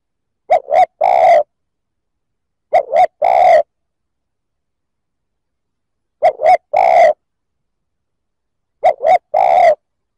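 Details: Spotted dove cooing to provoke other males, four low, mellow phrases spaced a few seconds apart, each two short hooting notes followed by a longer drawn-out coo, with silence between.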